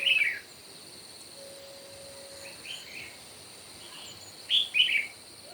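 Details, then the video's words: Red-whiskered bulbul singing in a morning contest. A loud whistled phrase opens, then faint notes follow. A double burst of bright warbled whistles comes near the end, all over a steady high whine. "Chim Chào Mào Hót Đấu Buổi Sáng Cực Căng."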